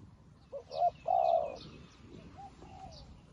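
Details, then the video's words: A spotted dove serving as a new decoy to attract wild doves gives a short note, a brief coo and a long rolling coo, then quieter trailing coos, with scattered high chirping from small birds. "លលកថ្មីមែន តែធ្វើហៅព្រៃដូចធ្នាក់ចាស់"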